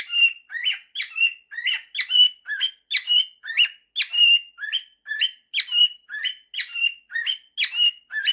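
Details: Pet male cockatiel performing a 'September' and 'If you're happy and you know it' mashup, with a long unbroken sequence of rough upward chirps tipped with short flat whistles, roughly two per second.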